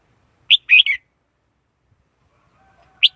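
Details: Red-whiskered bulbul lure song for trapping wild birds, clean recording: one sharp note and a slurred, falling warbled phrase, then a long pause before another sharp chirp.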